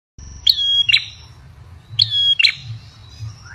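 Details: Ashy tailorbird call used as a lure: two pairs of sharp, bright chirps, each note a clipped high tone with a short steady whistle, the pairs about one and a half seconds apart over a faint low hum.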